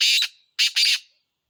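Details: Black francolin voice as three loud, grating, scratchy bursts, the last two run close together, in otherwise silent surroundings.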